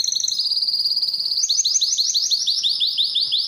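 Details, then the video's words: Belgian canary singing to rouse females for mating: a thin, very fast buzzy trill, then a steady series of louder rising chirps repeated about four times a second. "افضل تغريد كناري في العالم - Canário cantando para atrair fêmeas para a reprodução"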